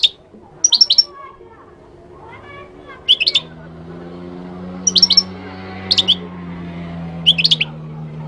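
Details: Goldfinch from Morocco singing short clusters of three or four rapid high twittering notes roughly every one to two seconds, over a steady low droning hum.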